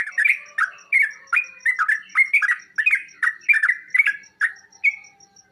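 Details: Sooty-headed bulbul song played as a prompt so kept birds answer: chattering, slurred mid-pitched phrases in quick succession, ending with a lone higher whistle.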